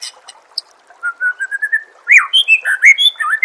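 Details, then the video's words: White-rumped shama song for training contest birds, starting with a rising series of soft whistled notes, then louder swooping, ringing phrases that jump up and down in pitch. "Suara Masteran Murai Batu Gacor – Bikin Mental Petarung dan Siap Juara di Gantangan"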